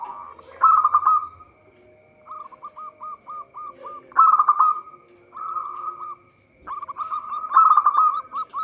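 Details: Perkutut, a local zebra dove, in lively song for trapping lures: loud rippling trills recur about every three and a half seconds, separated by strings of short hooked coos and smoother rolled phrases, with a faint whine throughout.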